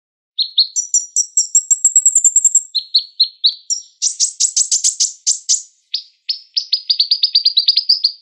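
A sunbird sings a rapid, high, sharp twittering: bursts of thin chips and buzzy trills, some rising, tumbling on almost without pause.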